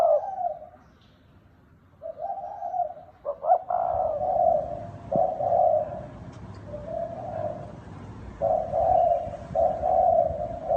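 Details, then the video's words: Red collared dove cooing in the 'gáy gù' and 'thúc bổi' manner: a near-continuous series of low, mellow coos with short gaps, one stuttering burst early on, over a steady low rumbling background. "Tiếng chim cu gáy đồng thúc bổi gáy gù mới hay 2020"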